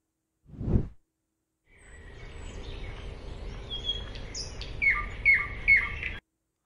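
A thrush sings a varied run of clear whistled phrases, ending with three bright, repeated notes about half a second apart, after a brief dull thump.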